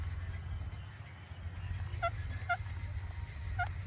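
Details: Indian ringneck parakeet producing natural sounds: three brief, clipped harmonic chirps spaced about half a second to a second apart, over a continuous low hum.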